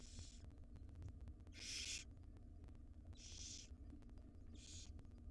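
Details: Begging wild barn owl owlets, five of them, fed breakfast by their mother in a nest box; four hoarse hissing screeches in quick succession, the second loudest, above a low steady hum.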